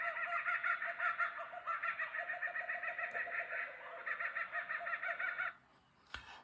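Laughing kookaburras in a raucous, cackling chorus of rapid, rolling hoots and chuckles that rise and fall for about five seconds, then stop abruptly before a single sharp click.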